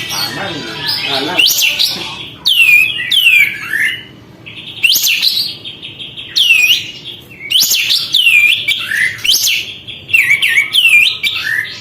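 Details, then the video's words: Persistent song of a sooty-headed bulbul opening its tail to provoke other birds. Loud, ringing whistles and downslurred hooks come in rapid bursts with brief pauses. "kapas tembak gacor buka ekor, untuk memancing emosi burung lain"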